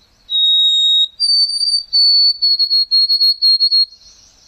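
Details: White-throated sparrow (Zonotrichia albicollis) song, rendered 'sweet Canada': clear, pure whistles, one steady note, a higher held note, then a run of quick repeated triplets on the same pitch.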